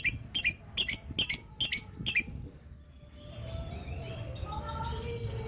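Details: Lovebird in 'ngetik' chatter that prompts other lovebirds to answer; quick paired high, sharp chirps for about two seconds, then softer background noise with faint thin whistles.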